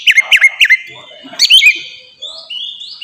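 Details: Ngeplong song of an Oriental magpie-robin, used as a training lure for kacer: three loud looping whistled notes, a brief jumbled phrase, then soft rising whistles.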